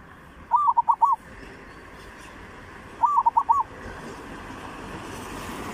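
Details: Zebra dove lure song in the style of Thailand's three southern provinces: two bursts of rapid, bubbling cooing notes, about four or five each, separated by roughly two and a half seconds of quiet background.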